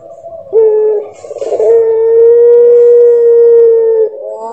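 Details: One of nine puter pelung doves with differing voices: a short dip into a warbling buildup, then a very long, smooth, level coo drawn out for over two seconds before ending abruptly, with faint background noise.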